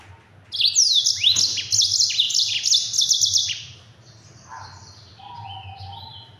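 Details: Rapid, tightly packed rolling song of a Mozambique yellow-fronted canary, meant as a tutor song for other birds: a long run of sharp high trills and downward sweeps for three seconds, then softer fading twitters over low background hum.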